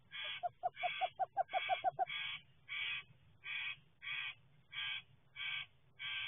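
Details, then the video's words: A pair of Western screech owls in a love/hate interaction gives harsh, raspy barking calls, first as a quick stutter of clipped notes, then as steady rasping bursts about every two-thirds of a second over a low background hum. "Western Screech Owls in a love/hate relationship"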